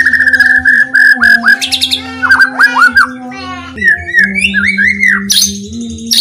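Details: Shama song played to provoke other white-rumped shamas into singing: repeated whistled notes, clusters of arched slurs, and brief high buzzy bursts. A continuous low humming tone with overtones sits under the song.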